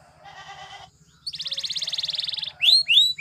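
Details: Belgian canary singing to train other canaries: a soft nasal harmonic phrase, a short pause, a rapid buzzy pulsed roll, then loud upswept whistles; a faint low hum runs throughout.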